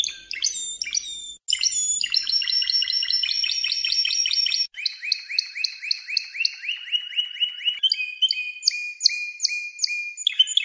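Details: Spanish Timbrado canary song compiled as training audio in 2014–2015: choppy segments of fast metallic trills and repeated rising notes, with abrupt cuts between passages.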